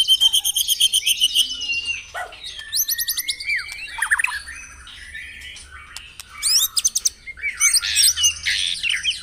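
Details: White-rumped shama singing in a morning dew-exposure recording meant to stir caged birds: harsh buzzy phrases mixed with clear downslurred whistles, quick chirped bursts and a noisy scratchy passage near the end.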